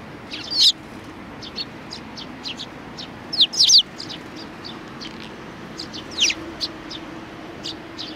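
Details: Sparrows, with a little one among them, recorded 27 June 2019. Scattered high, sharp chirps come singly and in short clusters, some louder double notes, over a steady low hum.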